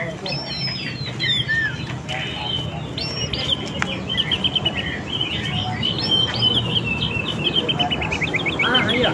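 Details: Oriental magpie-robin singing in a lure meant to call in wild birds: rapid, varied chirps and whistles, building into a fast repeated trill near the end, with low rumble behind.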